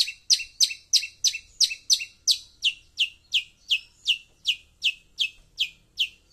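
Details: A Long-tailed Shrike's call, used as a lure sound, gives harsh, scratchy, buzzy notes repeated steadily almost three times a second, with no other sounds behind them.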